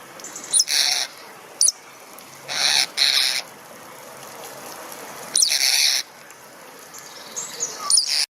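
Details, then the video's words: Ornamental starling giving harsh, rasping, noisy bursts about half a second long at irregular intervals, with a few short, high, sharp whistled notes between them. Quiet background. "SOUND OF A ORNAMENTAL STARLING"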